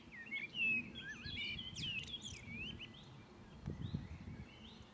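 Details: At Rakovnik, Ljubljana, Slovenia, on 4 June 2023, a common blackbird (Turdus merula) sings mellow, warbling phrases that slide up and down, with a few squeaky high notes, over low background rumbling throughout.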